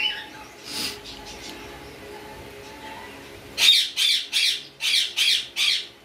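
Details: Backfrill red-eyed budgerigar giving a quick series of harsh, scratchy squawks, about six in a row.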